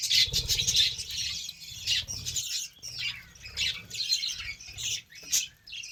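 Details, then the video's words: Budgerigars chattering while given beetroot, a busy stream of buzzy, high chirps and squawky notes in uneven bursts, with low rumbling handling noise underneath. "BUDGIES SOUNDS😍 GIVING BEETROOT FOR BIRDS 🦜😍 BUDGIES DIET"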